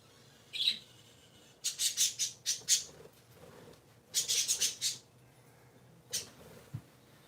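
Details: Pet parakeets, three birds, calling on a Sunday morning with rapid strings of harsh, scratchy squawks in two bursts of about five notes each, then a single final squawk; faint speech beforehand.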